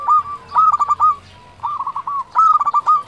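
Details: Lively local zebra dove song, played to draw in and excite other doves: three quick phrases of stuttering, staccato cooing notes, each phrase ending in a brief rolling trill, with a short pause between them.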